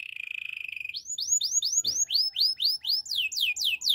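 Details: Canary training song: a brief fast trill, then a long series of loud, sweeping upward-arched whistles, about three per second, varying slightly in pitch.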